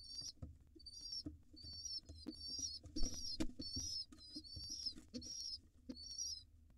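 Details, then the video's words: Cute, hungry wild rock pigeon nestlings beg from their dad in short bursts of high, quavering squeals, roughly one burst a second, mixed with sharp clicks and knocks. "Overly excited, cute and hungry pigeon nestlings get fed by their Dad."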